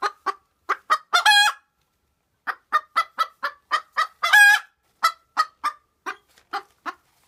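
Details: Cochin bantam hen's post-laying outcry at home: steady bursts of clipped clucks punctuated by two long, strained, raucous squawks, the clucks then continuing and gradually softening.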